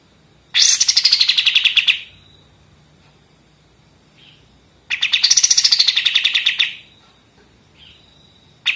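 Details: Pied triller delivering its 'senapan mesin' song for tutoring songbirds: two short staccato rattles, each under two seconds, beginning with a brief upward flick then dropping, separated by about three seconds of near silence.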